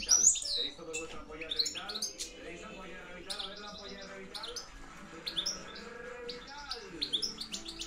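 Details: Campero reclamo of a European goldfinch, 2013-2014: scattered high sharp chirps and short twitters, louder at the start, then softer clusters, over a continuous low humming background.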